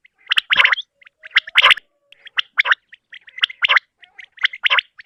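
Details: Common quail morning call: short, sharp, liquid triple-note phrases, repeated about once a second in a steady run, with no other sounds standing out.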